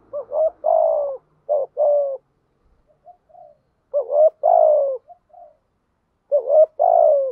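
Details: Spotted dove decoy cooing to excite wild-caught doves into calling: low hollow coos in groups of a short double note and a long falling note, with faint soft coos between groups.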